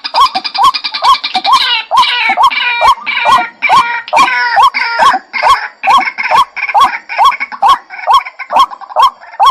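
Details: White-breasted waterhen lure call: regular harsh, hooked croaks about twice a second, overlaid at first by a busy, higher chattering that thins out over the sequence.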